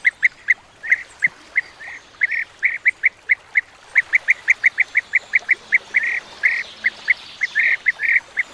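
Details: Flock of European bee-eaters giving short, throaty, trilling calls in quick succession, some notes overlapping as several birds call together.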